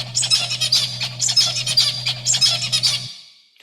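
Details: Normal adult zebra finch song: quick strings of buzzy, nasal notes mixed with thin squeaky tones, the same short phrase repeated about three times, over a steady low hum.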